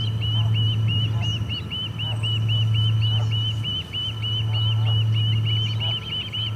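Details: At the Charlo osprey nest on 8 August 2020, when a parent comes in without fish, a long series of short, rising-falling whistled chirps runs nonstop, with a deep mechanical hum underneath.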